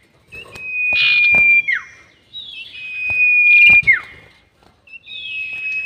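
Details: Sirtu bird used as a trapping lure, giving a long drawn-out whistle. Level high notes each end in a sharp downward slur, repeated about every two seconds, with a few buzzy bursts and knocking clicks between them.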